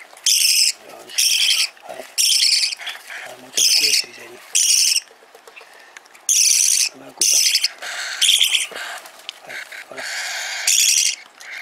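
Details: Young parakeet chick begging as it eats: loud, grating, buzzy screeches roughly once a second, about ten in all, each short and harsh, separated by soft rustling and low murmuring.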